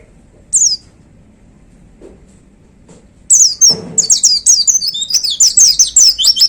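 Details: White-eye singing, described as a prized fiery 'gacor' performer: a single high slurred note, a pause, then a fast stream of thin, high, downward-slurred whistles and twitters running continuously for the last three seconds.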